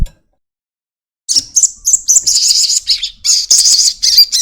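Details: Crested jay giving its long chatter as a lure to make birds sing quickly. After a brief click and silence comes a continuous, uneven, high, scratchy rattle with buzzy, warbling inflections.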